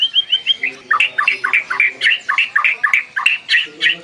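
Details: White-rumped shama lure song meant to get other birds singing: a rapid run of repeated bright chirping notes, about three or four a second, with slight squawky edges and a faint low hum near the end.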